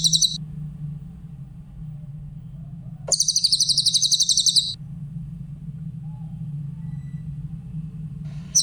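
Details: Tutor song of a Grey-headed canary-flycatcher for training other songbirds: brief high, fast chattering trill bursts of clear, sharp notes, the longest about one and a half seconds, with a low background hum between phrases.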